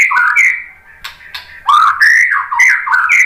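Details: Song of a white-rumped shama, played to rile up fighting males: loud, varied whistled phrases mixing slurred rising and falling notes with sharp harsh bursts, delivered in quick succession with brief pauses, no other sounds.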